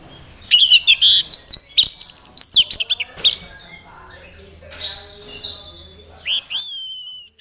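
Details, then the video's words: Caged Orange-headed thrush from Mojokerto in teler display, linked to attracting a mate. A dense burst of rapid chattering whistles gives way to slower, drawn-out rising whistles with gaps between. "Anis Merah Teler Gacor"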